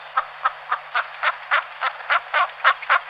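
Western capercaillie giving a steady run of dry, knocking clicks, about four a second, growing slightly louder toward the end; a faint steady hum underneath.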